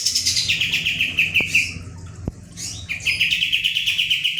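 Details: Pied Triller (kapas tembak), kept bird in full song, rolling 'ngebren' shooting style: fast rows of sharp, even notes about six a second, a short break with two clicks, then the rapid row resumes; low hum underneath.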